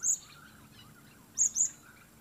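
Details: Blue-crowned hanging parrot calling on its own: one shrill high chirp, a pause, then a close pair of sharp squeaky notes, over light background hiss.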